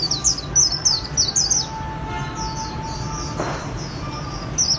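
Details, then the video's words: "Khuyên líu" song of a white-eye kept by Vietnamese enthusiasts: a fast chain of high, thin, falling notes at the start, then softer twitters and a brief noise burst, with steady hum beneath. "KHUYÊN LÍU HAY NHẤT 2019"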